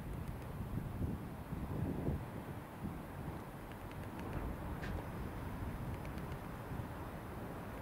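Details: Low wind rumble buffets the microphone with scattered faint clicks, and no animal calls stand out.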